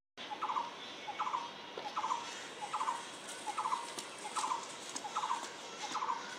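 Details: An unidentified bird repeats a short, buzzy, stuttering note at a steady rhythm, roughly once every 0.8 seconds, eight times in a row against a hissing background.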